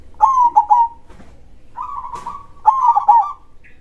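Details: Big-voiced zebra dove (perkutut) of local stock in krosing style: a stuttered, tremulous coo phrase, a brief pause, then a purring trill running into another stuttered coo.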